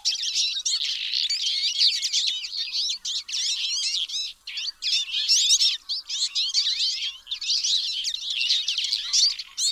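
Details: Busy twittering from Twite, a steady stream of high, sharp chirps and twangy rising notes that overlap continuously, interrupted by brief gaps every couple of seconds before the chattering picks up again.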